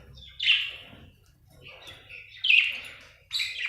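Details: Budgerigar chirping: three bright, scratchy bursts of notes at 0.4, 2.5 and 3.3 seconds, separated by near silence with a faint low hum in the background.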